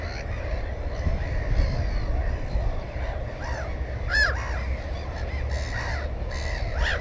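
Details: Black-headed gull at a nest with one egg and one chick, filmed 15 May 2016 on a GoPro: scattered hoarse, downward-arching calls at irregular intervals over steady low wind noise, with fainter calls of other birds in the background.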